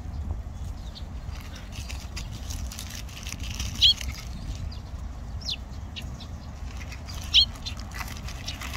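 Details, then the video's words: Eurasian tree sparrows calling at Olympic Park: two louder, sharp chirps about three and a half seconds apart stand out, with softer scattered chips between them and a steady low-pitched ambient drone throughout. "올림픽공원.참새(Eurasian tree sparrow)"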